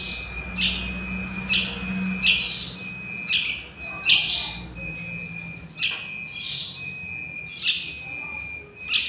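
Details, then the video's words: A young Yellow-vented Bulbul, sound meant to lure wild birds for trapping, gives irregular scratchy chirps and rasping bursts, some spaced over a second apart, with a low hum underneath and a thin steady whine. "Suara Anak Burung Trucukan"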